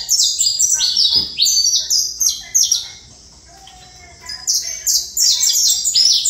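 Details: Saffron finch song of rapid, sharp descending chirps in tight clusters, a quiet pause in the middle, then a renewed fast series of high slurred notes.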